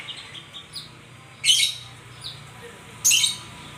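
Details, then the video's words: White-rumped shama giving two loud harsh high bursts about a second and a half apart, with soft short whistles between them over a quiet hum. "Terapi Burung Murai"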